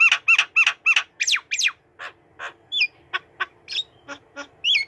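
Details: Tame white-rumped shama singing from a person's hand. Loud, sharp notes and steep sweeping whistles open the clip, then give way to spaced clicks and short, upward-flicked whistled notes.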